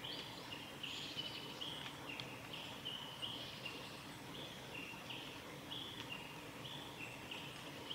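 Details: Male red-flanked bluetail at a nature observation garden of a nature conservation centre, 9 April 2017, gives short, high, thin whistled call notes repeated rapidly over a soft rushing background.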